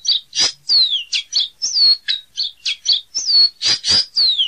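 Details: Caboclinho seedeater singing a fast, loud series of high notes. Sharp chips mix with clear descending whistles, about three notes a second, with no pauses. No other sounds stand out.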